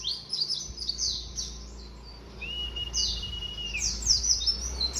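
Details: Young white-eye, just three months old, beginning to sing: quick high descending chirps in scattered bursts, with one long steady thin whistle held for over a second midway. Faint low background hum throughout.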